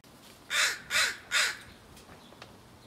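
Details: A crow in a backyard garden gives three harsh, hoarse caws in quick succession, each about a third of a second long with roughly half-second gaps, followed by quiet background.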